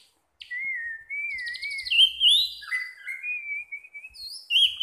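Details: Caged orange-headed thrush singing in the relaxed 'teler' style: sweet whistled phrases sliding around the mid range, wavering notes, then higher, brighter flourishes and a rising note at the end.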